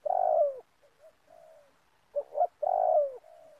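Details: Trapping lure in an oil palm plantation, a spotted dove gives a loud descending coo, faint soft hoots, then a quick double note and another long falling coo ending in a gentle trailing tone.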